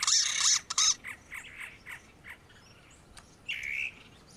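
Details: Great antshrike (choró-boi, Taraba major): a loud harsh, broadband burst repeated twice, then a fading series of short notes, ending with a single drawn-out, slightly rising note.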